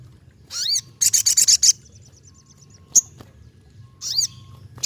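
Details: Lively ruby-cheeked sunbird song: a rising slurred whistle, a quick burst of high stuttering pulses, a single sharp chip, then another rising slurred note.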